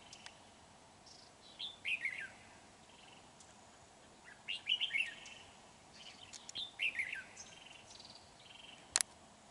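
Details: Red-whiskered bulbul used as a lure bird for trapping, recorded 31 January 2019: short warbled, slurred phrases come in separate bursts every second or two, quiet against faint background hiss, with a sharp click near the end.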